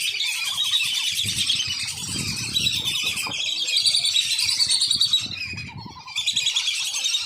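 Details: Farm-kept wandering whistling ducks calling, offered as a lure to attract wild ducks: a dense, continuous chorus of high, thin, twittering whistles, rapidly pulsed, with a few softer lower chattering runs and faint background clatter.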